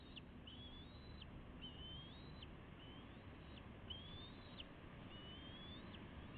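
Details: Juvenile bald eagles nearly ready to fledge, with their parents at the nest on May 29 2016, seen on a live cam. A series of thin, high piping notes slurs upward and ends in a quick drop, repeating steadily over low hum.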